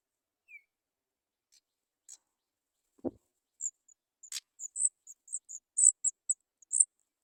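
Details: Three Sooty Chat nestlings waiting for food, begging: after a faint slurred whistle and a couple of clicks and a low thump, a run of short, very high squeaky notes builds and repeats rapidly.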